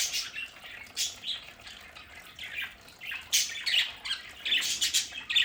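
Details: Pet budgerigars in an indoor play area at home let out harsh squawks in uneven clusters, with quieter scratchy chatter between the louder bursts.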